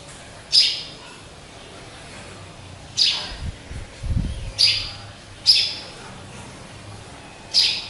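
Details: A caged pet sparrow, bought from trappers, gives short, bright chirps spaced one to two and a half seconds apart over a low background hum with faint thumps.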